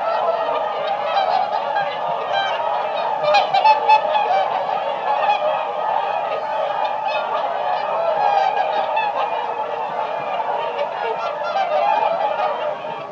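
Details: Whooper swan (Cygnus cygnus), flock calling.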